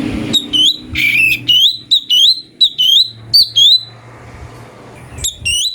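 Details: Cucak cungko (chestnut bulbul) singing a master variation for magpie-robins: a harsher opening note, then bright whistled notes rising at their ends, repeated in a lively, uneven series.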